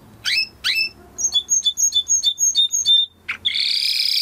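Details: Timbrado canary in a training recording: two sharp upward sweeps, a series of about eight clipped whistled notes, then a harsh buzzy rasping burst; faint low background noise.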